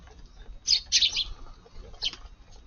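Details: Eurasian tree sparrows feeding in a garden on a rainy July 16 morning. Two quick, loud chirps are followed by a single fainter one a second later.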